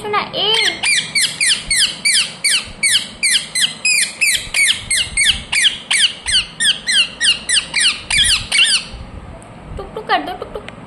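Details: Ringneck parrot, a talking parrot, giving a fast run of harsh, sharp squawks, about three per second, for nearly nine seconds, then a pause and one more short squawk.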